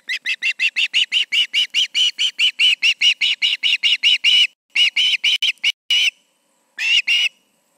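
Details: Two ospreys at a nest in Charlo, evening of August 20, 2019, 7 pm: a fast run of high, clear whistled yelps, about three per second, breaking into shorter bursts near the end.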